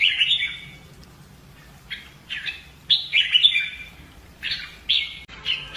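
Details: Red-whiskered bulbul in fighting-song training, singing loud, clear whistled phrases in bursts with slurred warbling notes and short gaps between them, fairly quick and uneven in rhythm.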